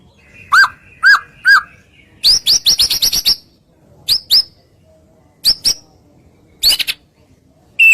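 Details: White-rumped shama lure song to make other shamas respond: three spaced falling whistles, a fast burst of sharp high chips, then scattered paired chirps with quiet gaps between.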